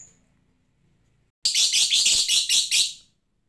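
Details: Lovebird, said to tick (ngetik) rather than ngekek without a lure, delivering a sudden burst of about seven harsh, rapid, high-pitched chattering notes lasting under two seconds after a quiet start.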